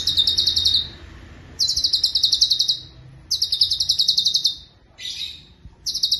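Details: Rapid, high, buzzy trill phrases from a cucak cungkok, kept as a vocal tutor for other songbirds. Roughly one-second rolls repeat with short breaks, and one phrase is briefer and lower.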